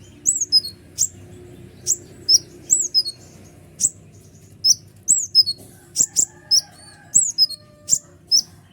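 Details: Kolibri ninja sunbird song used as a provoking lure for other birds: steady series of shrill, high, downslurred chirps and sharp ticks, some paired, with faint low humming in the background.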